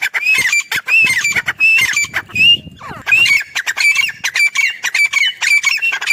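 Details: Female grey francolin, the dakhni teetar, recorded on a mango farm giving a steady stream of loud, harsh, rasping notes in quick succession, with a brief shift in texture near the middle.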